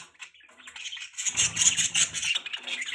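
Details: Budgerigar chatter builds into a dense, buzzy warbling stream of high chirps, accompanied by a rattling low fluttering noise in the middle.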